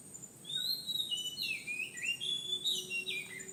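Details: Oriental magpie-robin producing a string of clear whistled notes, some long and level, others slurring up and down, flowing into a continuous varied phrase with a faint steady hum behind.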